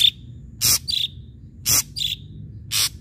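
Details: Ashy drongo singing, used as a lure to provoke other birds into song: three harsh, broadband rasping bursts about once a second, each followed by a short clear whistled note, with a brief whistle at the start.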